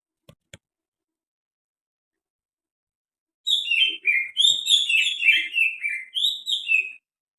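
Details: Greater green leafbird with strange sounds: after a few faint clicks and a long silence, a fast, lively series of bright, sharp, downward-slurred chirps pours out for about three seconds.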